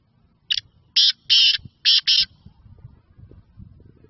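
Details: Black francolin, known locally as kala teetar, calling in Sindh, Pakistan: five harsh, grating, high-pitched bursts in quick succession over about two seconds, the middle ones longest, followed by faint low rumbling background noise.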